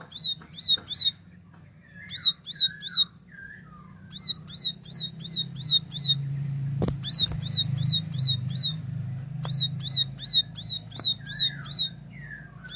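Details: Plain prinia (ciblek sawah) in clear tembakan song: short groups of rapid, high chipping notes alternate with lower slurred whistles, interrupted once by a sharp knock-like noise and steady low hum.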